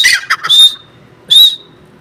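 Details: Partridge (teetar) giving a few raspy notes, then two short clear whistles about 0.8 seconds apart, followed by quiet.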